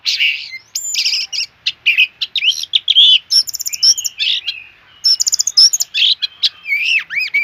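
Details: Energetic Oriental magpie-robin song, a lively jumble of clear whistles, upslurred and downslurred notes, rattling trills and quick chips strung closely together, some phrases looping in wavy whistles, bright and high with a quiet background.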